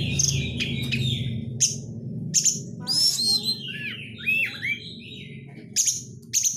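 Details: White-rumped shama lure song with 'crecetan' chatter: repeated sharp harsh bursts, curving falling whistles in the middle, over noticeable low rumbling background noise.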